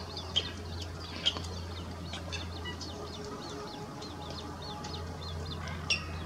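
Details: Young little grebes at Hirschauer Bucht on the Chiemsee give a steady stream of thin, high peeping notes, several overlapping, with a few sharp clicks and a low background hum.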